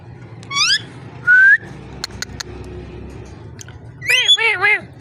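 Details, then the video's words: Ringneck parrot talking and calling indoors: a quick run of rising whistled notes, a clear upslurred whistle, a few sharp clicks, then a burst of harmonic, warbling syllables bending up and down near the end. "Amazing ringneck parrot talking and voice"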